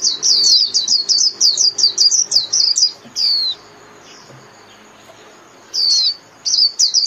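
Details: Japanese white-eye song used to gather the flock: a fast series of high falling chirps, one longer swooping note, a silent stretch, then two more brief bursts of twitters.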